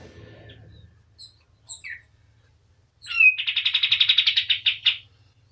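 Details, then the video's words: White-eye singing vigorously, as a tutor recording for training other birds: a few soft, thin calls, then a rapid, buzzy trill of evenly repeated notes lasting about two seconds, stopping abruptly. "KAPAS TEMBAK GACOR DOR || Cocok buat masteran"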